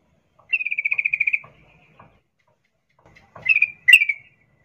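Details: Sooty-headed bulbul, a female calling a male while in breeding condition; one rattling run of about twelve quick notes, then after a pause two short sharp chirps with faint clicks between.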